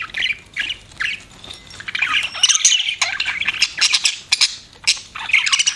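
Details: Pet budgerigars chirping: dense bursts of scratchy, buzzy warbling chatter with short squawks, interrupted by brief pauses.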